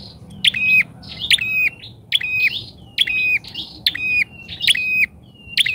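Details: Bar-winged prinia used as a trapping lure, calling loudly. About seven strident calls, a little faster than one per second, each a clipped high note running into a flat buzz, with softer trailing notes between.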